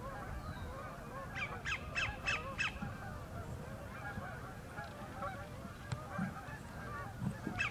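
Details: Sandpiper singing for a mate at the northern end of Horicon Marsh; a quick series of sharp, downslurred notes, then scattered fainter calls over a low rumbling background.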